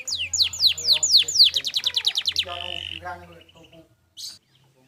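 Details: Canary singing a clear training phrase: a series of steep falling whistles speeding into a fast rattling trill, then a sustained buzzy note and a few soft closing chirps.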